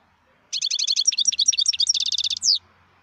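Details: Wild European goldfinch: a burst of rapid chattering notes leads into a dense, buzzy trill, and the phrase closes with a rasping falling note. A faint low hum sits underneath.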